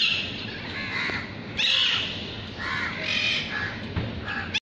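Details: Parrots squawking: raspy, grating screeches come in a few long bursts, with a steady noisy background underneath.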